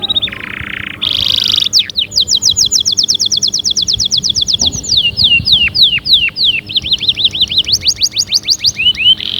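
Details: Canary song for rousing other birds to sing: a couple of buzzy notes, then a long series of quick downward-sliding whistles, followed by looped up-and-down notes, clear and loud against a quiet background.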